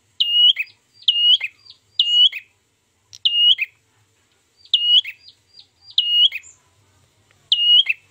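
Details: Ashy tailorbird song used as a trapping lure, with seven loud, sharp whistled phrases, each rising then dropping in a hook, given roughly once a second with short pauses between.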